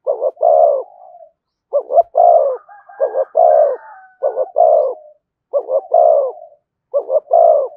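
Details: Spotted dove cooing "giọng thổ" style with "thúc" and "kèm" phrases, delivered rapidly: about six phrases in eight seconds. Each is two short hoarse notes then a longer deep coo. A faint higher second voice overlaps the middle.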